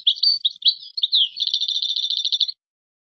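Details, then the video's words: European goldfinch, Moroccan song in the qazarat and srrr bartbartio style: bright twittering slurs and tinkling notes running continuously, ending in a fast, even buzzy trill of rapidly repeated notes. Nothing else is heard. "تغريد مغربي ڨازرات + سررر برتبرتيو canto jilguero marocco"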